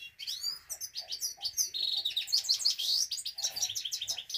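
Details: Himalayan goldfinch singing a fast, tinkling twitter of bright chirps and liquid trills, several notes a second, with no other sounds.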